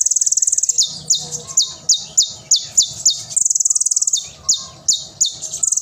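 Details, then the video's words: Van Hasselt's sunbird, loud, lively song used as a tutor recording for young spotted birds: very high, sharp downslurred notes alternating with fast buzzy trills, repeated rapidly with no other sounds. "Konin Gacor Tembakan Tajam & Isian Mewah Suara Nyaring || cocok untuk masteran konin trotol ijoan !"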